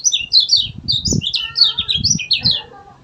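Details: Kecial kuning pouring out a continuous high, chattering song of quick descending and rising chirps, gacor style, with soft low knocks and thumps underneath.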